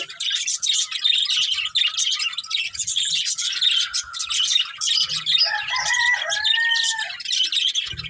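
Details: Several budgerigars feeding on green food keep up a dense, continuous high chatter of scratchy chirps and squeaks; a drawn-out crowing call rises briefly in the background near the end.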